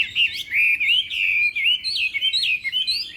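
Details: During morning voice training for a singing contest, a Chinese hwamei gives a continuous, loud stream of fluid whistled loops that rise and fall without pause.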